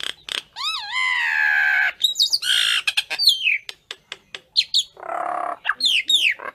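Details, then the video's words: Calling to gather its flock, a common myna gives wavering whistled notes that melt into a drawn-out harsh rasp, then sharp clicks, descending squeaky whistles and another grating burst. "Tiếng sáo nâu gọi bầy"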